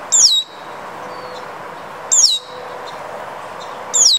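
Red-winged blackbird giving three thin, high, down-slurred whistles, each about a quarter-second long and spaced roughly two seconds apart, over a quiet background hiss.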